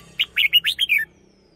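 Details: A single brisk phrase from a caged red-whiskered bulbul used as a lure bird, six liquid whistled notes rising and falling, the last one dropping lower.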